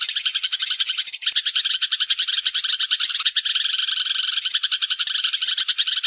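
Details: Sparrow flock call recorded for luring birds into traps: bright, tightly packed chirps chattered continuously, at first higher and then settling into a steady rattle-like stream.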